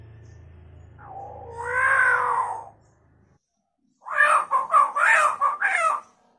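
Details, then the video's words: Hill myna imitating chicken sounds in captivity: a drawn-out, wavering nasal note over a low hum, a brief gap, then about six loud, harsh clucks in a fast, uneven run. "Burung beo gacor fariasi suara ayam"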